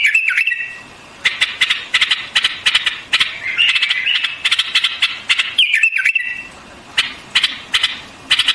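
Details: White-eared bulbul song mixing gliding whistles with dense bursts of sharp, rapid chirps, with short quiet gaps between phrases.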